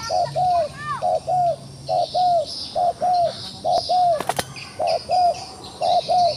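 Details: A wild pigeon, trapped but still fighting, repeats a pair of coos, short then longer and slightly falling, roughly every 0.8 seconds. A sharp click interrupts midway, and insects hum behind.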